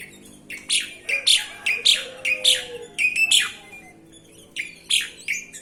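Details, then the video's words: Sooty-headed bulbul singing a string of short, bright chirping notes that come in quick irregular clusters, pausing briefly near the middle, over a faint low background. "Burung Kutilang"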